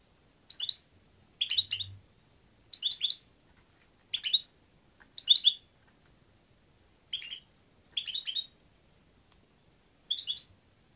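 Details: European goldfinch repeating short, jingling phrases of several quick high notes, eight bursts in eleven seconds separated by brief silences, with a faint low thump early on.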